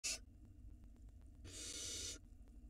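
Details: Barn owl nestling at the nest entrance, filmed by a live nest camera in Israel in 2022. A brief harsh burst at the start, then one broad, breathy hiss of under a second over faint background hum.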